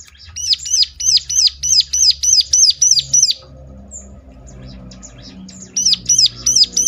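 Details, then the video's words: Bar-winged Prinia used to draw replies from other birds: a fast run of about ten sharp, high, hooked notes, roughly three per second, a quiet gap with faint low hum, then the series resumes. "ciblek lain ngecLak ikut nyaut || mesti Nyautnya."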